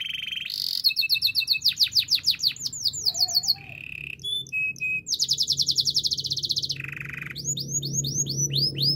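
A Belgian canary sings a fast, varied song of high trills, rolling rapid notes and sweet whistled phrases, changing tours every second or so, over a faint low hum.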